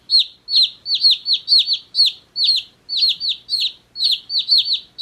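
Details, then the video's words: Day-old chicks give loud, high-pitched descending peeps, often doubled or tripled in quick runs, about two per second against a clean background. "Cute Baby Chicks Chirping Sounds"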